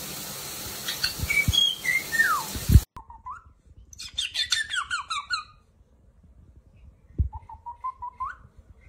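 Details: Pet parrot calling: after a brief noisy start with faint whistles, a rapid run of harsh, descending squeaky notes lasts about 1.5 seconds, framed by short rising whistled notes near three and seven seconds, with soft thumps in the background.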